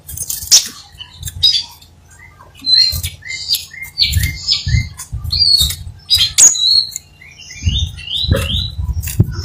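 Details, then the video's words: Crimson sunbird in full, vigorous song: sharp high chips and short thin whistled notes, some sliding upward, given in scattered bursts with brief gaps, over a steady low hum. "Suara asli kolibri sepah raja gacor"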